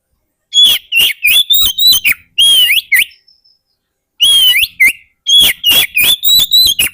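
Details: Oriental magpie-robin song played to attract wild birds: fast bursts of short loud whistled notes alternating with long held whistles that sweep upward, with a short silent gap midway.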